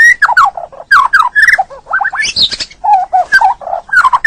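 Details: White-rumped shama song for training songbirds, full duration with fill-in phrases: lower-pitched warbled and slurred notes in short repeated groups, with a brief high twittering burst in the middle, lively and varied throughout.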